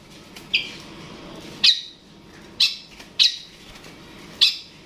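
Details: Provoking a rival, a long-tailed shrike (cendet/pentet) gives five sharp rasping notes at uneven intervals, with quiet pauses between them.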